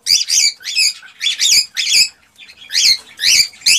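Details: Cockatiels, kept birds, sound played to stimulate mating; harsh chattering phrases in rapid bursts of about half a second, repeated with short gaps, high and raspy.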